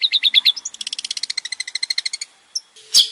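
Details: Male long-tailed shrike giving a varied lure song: quick chirps leading into an even, rapid series of repeated notes, then a short pause and a harsh burst.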